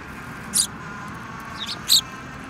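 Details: Sparrows, among them a yellow-beaked bird, filmed 15 February 2018: two loud bright chirps with a softer one between, against a low humming background.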